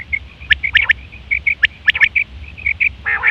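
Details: Common quail in September 2023, call used for hunting and mating: soft short piping notes run continuously beneath sharp clipped double and triple notes, ending with a brief rasping burst.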